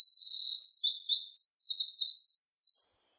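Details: Eurasian wren song: a fast, bright cascade of high twitters and zipping notes, packed closely together for almost three seconds before ending abruptly. No other sounds are present.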